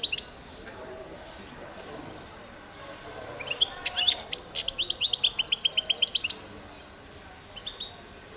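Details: European goldfinch of the Balkan form, Carduelis carduelis balcanica, singing in a 2022 world championship competition recording. A rapid, bright, high twittering burst lasts about three seconds, followed by a few faint notes over a steady background hiss.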